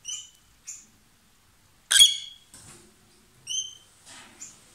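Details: Loud song from a lovebird pair kissing and swapping food: short, high, piercing chirps separated by pauses, with one harsh screech near the middle.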